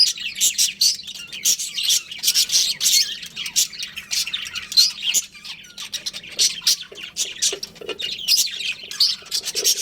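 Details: Chattering budgerigars from a breeding pair: a constant stream of high scratchy chirps and squawks, many notes per second, with a faint low hum throughout.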